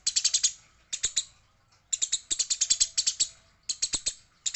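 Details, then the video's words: Fighting Eurasian tree sparrow, said to be female, chatters in rapid clusters of bright, high chirps, about five per burst, with brief silent gaps between volleys. "Gereja gacor - gereja tarung - gereja betina"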